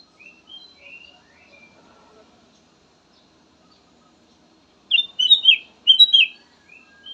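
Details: Black-naped oriole song for drawing out other songbirds: a few soft whistled notes at first, then a loud, tumbling run of slurred whistles, then faint notes again.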